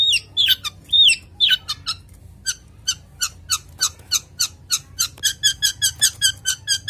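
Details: Breeding-condition male long-tailed shrike, kept as a cage bird, starts with a few squeaky looping notes, then speeds into a fast, regular string of short buzzy chips.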